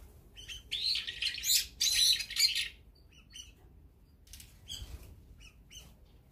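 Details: Brown-eared bulbuls feeding as a group, with azure-winged magpies, sparrows and tits also around. Loud, harsh squawking calls in dense bursts fill the first two and a half seconds, followed by sparser sharp chirps and quieter notes.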